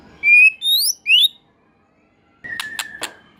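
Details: White-rumped shama song: three loud pure whistles, the first level, the next two rising, then after silence a few sharp clicks over a thin steady tone.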